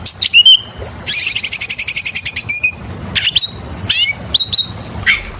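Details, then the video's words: Oriental magpie-robin in full song, played as a lure for other birds: loud clear whistles and rising slurred notes, then a rapid buzzy run of repeated ringing notes, with sharp upswept phrases and a low background murmur. "PANCINGAN SUARA BURUNG KACER GACOR SUARA NGEMPLONG PARAH"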